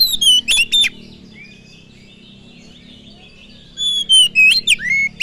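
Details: Oriental magpie-robin lure song (pancingan kacer) played to stir other birds to sing: a quick whistled phrase, a long pause with a faint drawn-out whistle, then a rapid burst of varied sliding notes.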